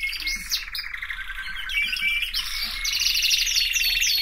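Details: Canary song of buzzy, rapidly pulsed trills broken by short swooping notes, growing louder over the final seconds.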